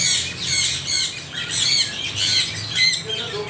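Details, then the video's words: Harsh arching squawks from parrots repeated roughly twice a second, loud and rasping, with quieter chatter between bursts and a low hum underneath. "Extreme noise of parrots"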